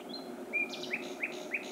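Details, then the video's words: Common nightingale at night in Pälkäne, Finland, June 2016: a short phrase of a high sliding whistle followed by three sharp, evenly spaced chipping notes against a faint low hum. "Etelänsatakieli (Luscinia megarhynchos)"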